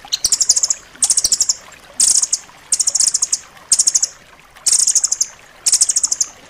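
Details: Rambatan loreng singing in a tight, piercing style, recorded as a master track for pet birds. Seven evenly spaced bursts of quick, high trilled notes, each lasting under a second.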